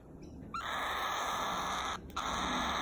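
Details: A cockatiel (Nymphicus hollandicus) gives a long, steady, clear whistle, briefly broken and then held again.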